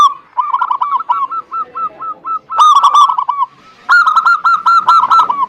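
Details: Zebra dove lure song meant to get reluctant zebra doves singing: a steady series of short ringing coos, joined by louder overlapping phrases from more than one dove calling over each other.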